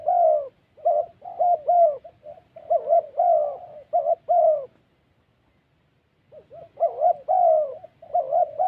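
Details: ["Spotted dove giving 'thổ'-style coos in the wild Central Highlands forest of Vietnam, where doves are trapped using ground decoys; hollow, low cooing phrases in quick clusters, a silent gap of over a second, then cooing resumes."]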